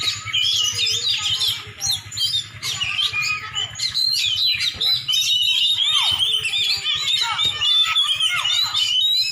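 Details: Oriental magpie-robin, a champion bird in Aceh, delivering fast mixed song: sweeping whistles, falling slurs and chirpy notes in dense bursts, with a faint low hum underneath.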